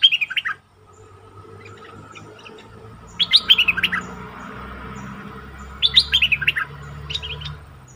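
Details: Decoy bulbul in full plumage, used to attract wild birds, recorded 8 August 2021; three separate bursts of quick, bubbly whistled notes, each about a second long, with quiet gaps and faint background hum between.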